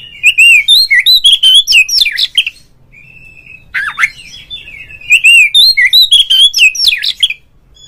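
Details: Ngeplong-style calling of an oriental magpie-robin, played to get other magpie-robins singing: loud, dense runs of fluty whistles and sweeping notes, a brief quieter middle with a drawn-out whistle, then another rich burst.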